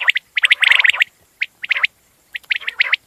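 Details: Common quail calling: short sharp notes near the same pitch, grouped in quick bursts of two to three, with brief silent gaps between bursts and a denser cluster of overlapping notes early on.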